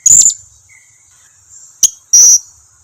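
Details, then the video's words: Short lure calling of a blue-crowned hanging parrot, intended to provoke replies: a buzzy high squeal, a brief sharp chip, then a longer shrill whistled note, over a steady high hum. "Suara pancingan serindit ini dijamin serindit lain yang jarang berbunyi pasti langsung nyahut"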